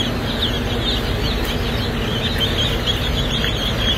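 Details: A brood of Welsummer baby chicks in a hatchery, a continuous chatter of shrill, short descending peeps from many birds at once, with a constant low rumbling hum underneath.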